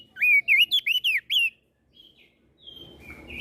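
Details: Flores crested white-eye in full song meant to rile other birds: a burst of six loud, slurred whistles with quick upward and downward sweeps, then a pause and faint thin notes over rising background rumble.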